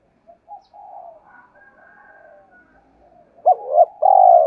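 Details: Quiet low murmurs and faint whistles, then a loud spotted dove phrase at the end: a hooked hoot and a long rolling coo. The recording is meant to prompt other doves to coo.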